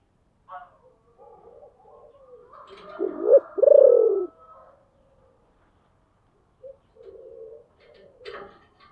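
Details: Decoy spotted dove, deep-voiced, calling to lure wild birds: a single cooing phrase of pulsing notes in the middle, partly blurred, with scattered faint background sounds and a sharp tap near the end.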